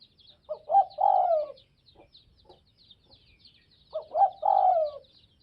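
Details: Two spotted dove coo phrases, Tây Bắc (Northwest) type, about three and a half seconds apart: stuttered low hoots followed by a long, smooth, downward-drifting coo. Light high-pitched twittering continues throughout.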